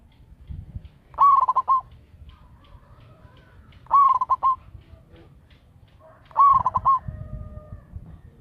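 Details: Zebra dove of the local type, a loud lure caller, sings three staccato coo bursts, each a rising note breaking into quick beats, spaced roughly two and a half seconds apart, with faint low murmurs between.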